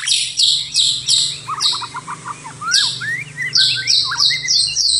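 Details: A white-rumped shama singing after dark mixes repeated bright buzzy high bursts with lower, quick whistled notes and short slurs.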